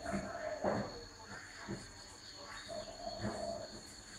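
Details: Spotted dove giving low, hollow coos, a few soft tonal notes in short bursts with faint rustling and background noise between them.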